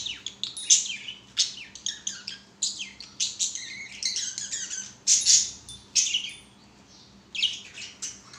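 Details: Pet budgerigars singing while playing on a swing, a rapid, continuous warble of high chirps, squeaks and buzzy notes in bursts of about a second, with brief pauses.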